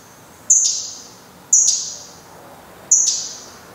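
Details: Black redstart at the nest as the last chick departs, 24 May 2020: three loud, piercing high whistles about a second apart, each ending in a brief ticking rattle.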